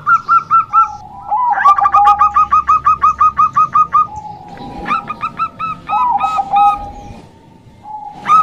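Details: Local female zebra dove, kept for luring males: several phrases of rapid clipped ringing coos, overlapping voices and lower sliding notes, with a brief scratchy sound midway.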